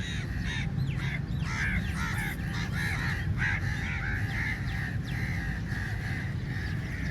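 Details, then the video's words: Many crows crowd onto food at feeding time, their raspy, nasal caws overlapping almost without pause, with a constant low background rumble underneath. "Crow Sounds Very Loudly"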